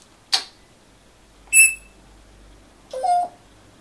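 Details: Grey parrot, one year and five months old, kept indoors and practising its words on a holiday afternoon: three short separate utterances, a sharp click, then a bright harmonic whistle-like note and a lower voiced sound, in a quiet room.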